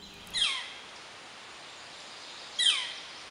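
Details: Northern Flicker (Colaptes auratus) giving its 'kleer' call, a common alarm sound: two loud, high, downslurred 'clear'-like calls about two seconds apart over faint background hiss.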